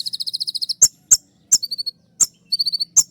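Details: Kolibri ninja (sunbird) singing its rapid 'tembakan' shooting-style song, used as a training recording for caged birds: a fast run of high buzzy notes, then sharp piercing clicks alternating with short high trills.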